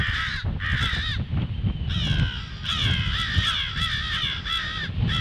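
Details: Crows alarm-calling on 18 February at 08:50, a dense string of loud hoarse caws in quick groups, some overlapping, over steady low rumble.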